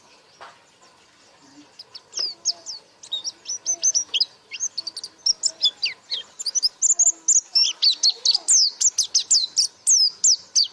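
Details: A white-eye, or pleci, builds its 'buka paruh' song from sparse, quiet chirps into a fast, dense flurry of high twittering and down-slurred whistles.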